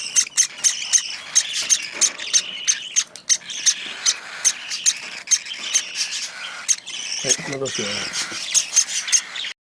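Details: Hand-fed cockatiel chick begging while eating, a rhythmic series of harsh, scratchy chirps repeated about three times a second, briefly overlapped by a human voice near the end.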